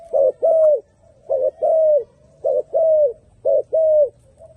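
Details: Four paired coos from a turtle dove, each a short clipped note leading into a longer mellow note that slides slightly downward, spaced about a second apart, with little other sound.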